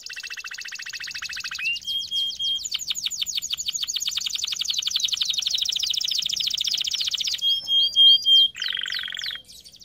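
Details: Canary song used for training canaries: long rolling trills at varied speeds, a fast buzzy rattle, then a steady run of rapid repeated notes, ending in sharp upslurred chips and a lower trill.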